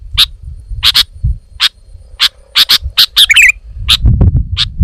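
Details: Scattered sharp chips from a sooty-headed bulbul with one brief twittering phrase, set against intermittent low-pitched background noise.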